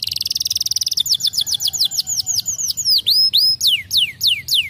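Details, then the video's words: Canary in full gacor song with a quick buzzy trill, then evenly spaced arching whistled sweeps, each phrase repeated about four times a second. "langsung nyautt dan gacor lagi gak?"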